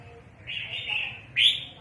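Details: Red-whiskered bulbul used in bird trapping, calling often: a drawn-out, slightly wavering note, then a sharp, louder, rising call.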